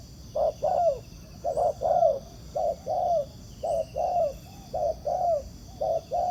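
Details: Spotted dove, a wild bird judged handsome and spirited, cooing toward a ground decoy in a trap. About seven two-part phrases follow each other steadily: a brief hoot, then a sliding, descending coo.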